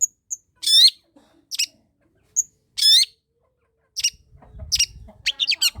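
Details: Long-tailed shrike, a vigorous singer used to provoke lazy birds: harsh buzzy rasps and short high ticks alternate, followed by quick chirping notes, with soft music entering near the end.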